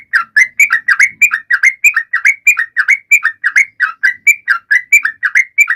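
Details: Sooty-headed bulbul singing to prompt other birds, including silent ones, to sing: loud, bubbly, whistled two-part phrases, each dipping then rising, repeated about three times a second in a steady run, with no other sounds.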